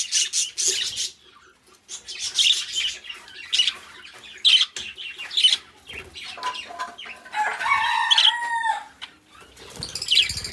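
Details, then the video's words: Budgerigar song from a pair of pet birds: choppy bursts of harsh chirping and clicking, then a louder nasal, harmonic squawk, and more fast chatter to finish. "beautiful budgies birds sounds"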